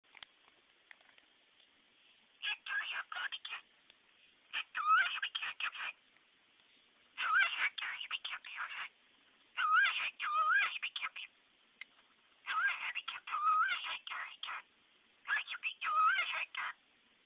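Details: A pet cockatiel talking to his reflections in a bathroom vanity chatters in bursts of scratchy, speech-like mumbles mixed with short whistled notes; the finding is cockatiel.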